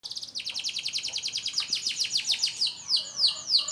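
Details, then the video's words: Young canary practising its song after moulting: a fast, even trill of high, sharply descending notes, about five per second, slowing slightly near the end into broader sweeping notes. "BURUNG KENARI AF BELAJAR BUNYI PASCA MABUNG"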